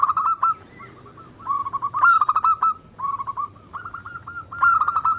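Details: Several zebra doves, local Bangkok, crossing and Cemani types, coo in a massed lure recording: bursts of quick clipped notes, some with a brief rising roll, separated by short pauses.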